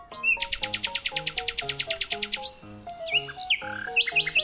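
A nightingale delivers a fast, rattling burst of about twenty high repeated notes in two seconds, then varied rising whistles, over soft instrumental music.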